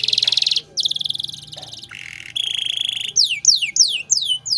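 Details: Canary in lively 'cengkok mewah' song, a tutor recording for training other songbirds: buzzy high trills, a lower rattling stretch, then a series of steeply falling whistled sweeps, with a faint steady low hum beneath.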